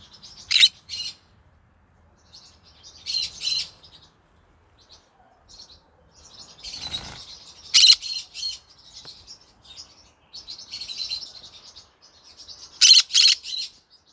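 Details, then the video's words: Evening song of a pet green-cheeked conure: rasping high chatter phrases broken by several loud piercing squawks, with a soft fluttering rustle midway. "come hear me sing together Green Cheek Conure Parrot Bird"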